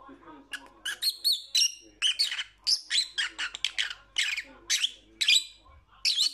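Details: Lovebird chattering with a rapid, nearly continuous string of shrill squeaks and chirps, several per second, some notes rising and falling, over a faint low hum.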